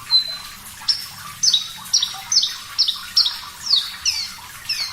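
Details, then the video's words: Javan bush lark, Parva type, singing vigorously with a clear voice on a bird-training recording: a long thin whistle, then a run of sharp high notes, each slurring steeply downward, repeated about twice a second over a soft background hiss. "Masteran Branjangan Parva Gacor Suara Jernih"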